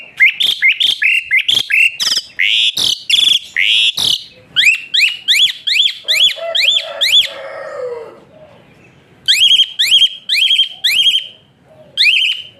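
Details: Whistling Asian pied starling, a song meant to train other birds and rouse quiet ones: fast run of sharp chattering notes, then a pause and a series of rising whistles repeated about every half second.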